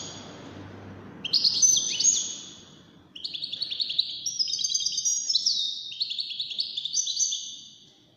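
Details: Song of a European goldfinch, one of five wild-caught birds entered in a singing competition: a lively, fast run of high tinkling twitters and trills, broken by a short pause, then continuing in rapid, uneven phrases.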